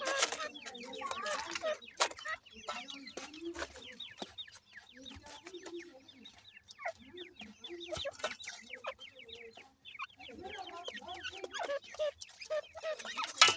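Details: Iranian partridge parent feeding its brown chicks: continuous high, slurred cheeping from many young, recurring soft low clucks, and scattered knocks and rustles throughout.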